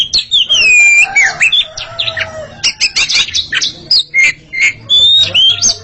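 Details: A pair of Oriental magpie-robins singing against each other: rich, varied whistles with sliding, rising and falling phrases mixed with sharp chips and harsher notes, delivered in quick continuous bursts.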